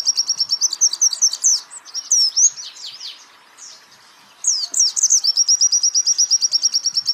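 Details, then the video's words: Champion white-eye training song: a fast high chipping trill that breaks into loud swooping slurs and downward sweeps, a quiet pause of about a second, then a fresh run of whistles and a long, steady, shrill trill. "pleci Jawara Pake Masteran ini jamin Geter-GETER!!!!!"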